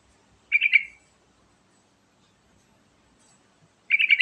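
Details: Sooty-headed bulbul singing as a lure for other birds: two brief, bright, bubbly bursts of rapid notes, separated by a few seconds of near silence.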